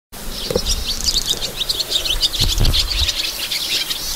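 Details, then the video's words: Sand martins singing: a dry, scratchy twittering of rapid buzzy chirps, several birds overlapping, with low rumbling wind or handling noise beneath. "Hirondelle de rivage (chant)"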